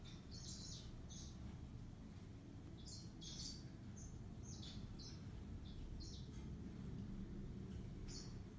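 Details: Faint song of a yellow-fronted canary: spaced, high chirping notes and short trilled phrases repeating every half second to a second, set against strong low-pitched background rumble.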